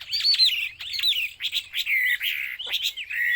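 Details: Chinese hwamei (wambi) delivering loud, clear whistled phrases, each a high note sliding down into a lower drawn-out whistle, separated by short pauses.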